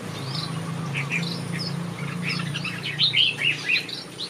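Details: Finches in a backyard aviary giving clear high chirps that build into louder, bouncy twittered notes toward the end, over a steady low hum.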